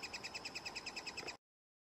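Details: Three-toed woodpecker at a nest in Oslo in June 2018, giving a rapid run of high, thin, evenly spaced chirps, around a dozen in just over a second, then stopping abruptly.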